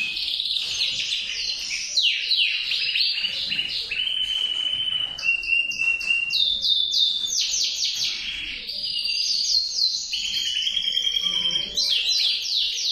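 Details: Continuous song of a male canary: quick repeated falling notes, a steady level whistled tone around midway, then bursts of fast rattling trills, loud and close throughout.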